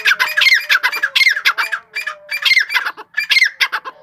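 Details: Grey francolin calling in a rapid series of harsh, squawking notes, with a brief lull in the middle, then the pattern is resumed. A faint steady tone runs underneath.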